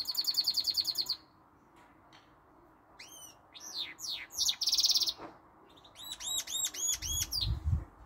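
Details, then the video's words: Goldfinch mule song mixing in some canary notes: an opening buzzy trill, a brief pause, then sweeping whistles and a dense buzz, ending in a run of looping upslurred notes. This hybrid sings all day long. "goldfinch mule some canary note sings allday long"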